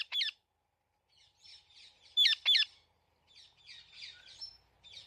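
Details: Harsh loud squawks from a talking parrot, one at the start and a close pair midway, with soft, buzzy chirping chatter filling the gaps.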